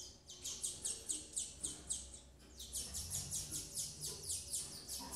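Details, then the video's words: Double-collared seedeater female feeding her chicks: rapid series of high, downslurred chirps repeated about five times a second, a short pause midway, then the chirping resumes; faint low hum underneath. "FEMEA DE COLEIRO BURGUESINHA TRATANDO SEUS FILHOTES"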